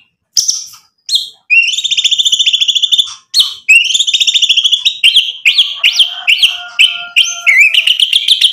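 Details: White-rumped shama showing off its imitated material to goad other birds into answering: sharp high chips, fast ringing trills, then varied slurred whistles and upward-swooping notes in quick succession.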